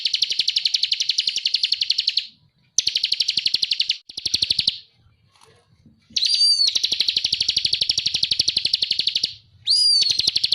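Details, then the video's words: Bar-winged prinia (ciblek) singing in the energetic ngebren style, a tutor recording for training songbirds: long bursts of rapid buzzy trilled notes broken by short silences, with sharp upslurred whistles introducing the later bursts. "Suara masteran burung ciblek _ GACOR NGEBREN FULL EMOSI"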